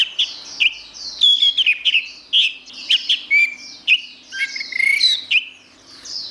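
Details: Steady gacor song of an orange-headed thrush, with loud rich whistled phrases following one another quickly, mixing downslurred notes, clear pure tones and short twittering bits, with a faint low hum behind.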